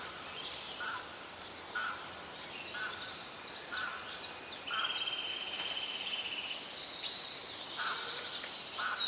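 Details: Several wild birds singing in nature: thin high whistles and chirps overlap, a lower short note repeats about every second, and a long steady whistle sounds midway, over light background noise.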